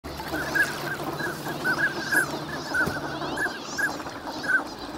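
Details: Wintering migrant ducks in large numbers at Nagahama, Lake Inawashiro, on a fine winter morning: many short whistled calls overlap in a steady chatter, some notes brighter and rising, over a soft wash of lake background.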